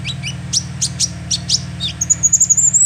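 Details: Calls of a young sunbird used as a bird lure: a fast run of sharp, very high chirps, then a thin, rising, trilling whistle, with a constant low hum beneath.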